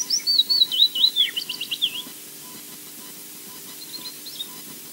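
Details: Osprey chick begging at the Loch Garten nest, Scotland: a burst of thin, high whistles, wavering then breaking into quick chirps over two seconds, then fading to faint notes against quiet background hiss.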